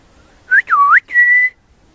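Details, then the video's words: Baby pied butcherbird singing very high: a short rising whistle, a deep U-shaped swoop, then a long level pure note, clear and flute-like. "Baby Pied Butcherbird singing very high pitch"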